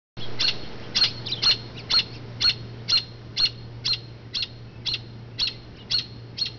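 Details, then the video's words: Mother robin calling from a branch away from her low nest in an oak, making noise to distract passers-by; sharp high chirps repeated about twice a second, around thirteen in a steady series, over a faint low hum. "Chirping Robin"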